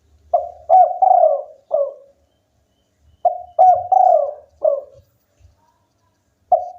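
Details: Local spotted dove singing energetically, with mellow coo phrases of short introductory notes, a long wavering coo and a falling close, repeated roughly every three seconds, plus faint low thumps in the background.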